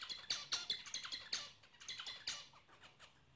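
Zebra finches give quick, nasal, buzzy notes like tiny toy-trumpet honks, tumbling out in an irregular stream.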